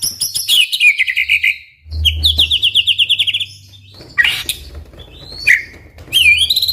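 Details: White-rumped shama (murai batu) song for drawing other shamas into singing: two bursts of rapid repeated whistled notes, then harsh buzzy notes and a sharp falling whistle, pauses between phrases, low hum.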